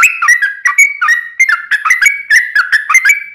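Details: Sooty-headed bulbul in busy, long rapid-run song, played to lure other bulbuls into singing: bubbly, fluty whistled phrases rising and falling, rapidly strung together with brief gaps, loud and clean without background sounds.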